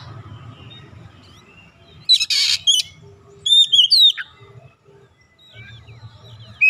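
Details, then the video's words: Untrained oriental magpie-robin singing vigorously: a harsh rasping note, then a few clear downslurred whistles after a pause, over a steady low hum. "KACER bahan langsung ikutan gacor"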